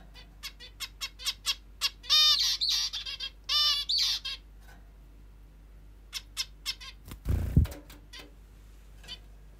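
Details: A pet zebra finch, praised as a plump beauty, sounds off in the morning with rapid nasal calls and two longer buzzy stuttering runs, then a loud thump and a few more calls.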